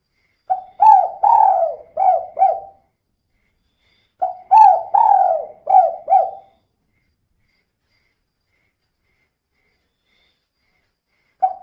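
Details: Female spotted dove in kuk-2 style, calling steadily as a lure so other birds start singing: two matching phrases, each of four or five husky coos, a long falling note then short quick ones, separated by pauses.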